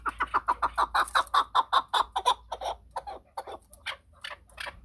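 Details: Chukar partridge giving a rapid series of harsh clucking notes, about two and a half per second, steady and loud at first, then trailing off into softer, more scattered chucks.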